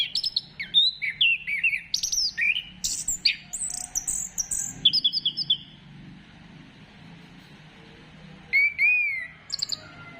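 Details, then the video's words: Orange-headed thrush singing as a lure to provoke other birds into song: about five seconds of fast, varied whistles, slurred notes and sharp twitters, a long pause, then one more bright rising-and-falling whistled phrase, with a soft low hum behind. "Gacorkan Burung Anis Kembang Dengan Pancingan Suara Ini"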